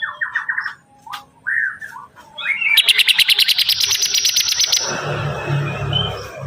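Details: Bar-winged prinia in energetic song: a quick run of whistled notes and chirps, then a rapid, even trill of sharp ticking notes lasting about two seconds, followed by broad rustling noise.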